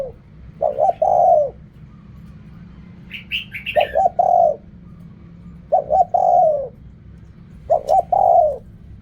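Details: Spotted dove in Thailand giving its riak kham, khu kham, ok rong cooing style: four phrases of quick stuttering notes ending in a longer sliding coo, spaced roughly two seconds apart, with a short burst of higher chirps from a small bird early on.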